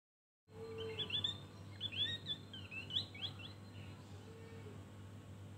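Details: Javan grey-throated white-eye singing in the ngeriwik style with full fill, giving high, sharp chirping and twittering notes in scattered bursts over a steady low hum.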